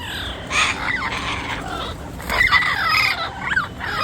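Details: Turquoise-fronted amazon vocalizing in nature, a string of scratchy, rasping squawks and squeals, some sliding down in pitch, running almost without a break.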